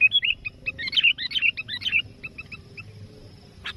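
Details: Sooty-headed bulbul, lively and vocal, calling a rival as a trapping lure; a rapid chattering series of short bubbly whistled notes, dense at first then thinning to scattered chirps, a sharp buzz at the end.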